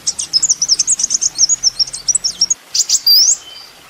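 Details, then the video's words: Kolibri ninja sunbird in a master recording for songbird training: a quick high jumbled twitter, then a brief break and a single long, sweeping rising whistle. "masteran mewah full isian kolibri ninja bikin burung emosi"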